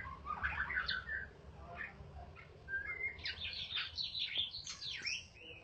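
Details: White-rumped shama of the Balak type singing: scattered quick chirps and whistles, then a fuller run of high, varied warbled phrases over a steady low hum.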